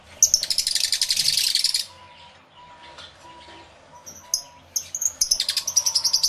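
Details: Aviary full of lovebirds, stereo recording: a long rapid burst of buzzy high chatter, a lull with faint low tones, then more fast repeated shrill chirps.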